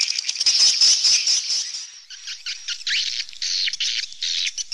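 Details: Swallows twitter densely at first, then individual sharp, downward-sweeping chirps stand out, repeated roughly twice a second in an uneven rhythm.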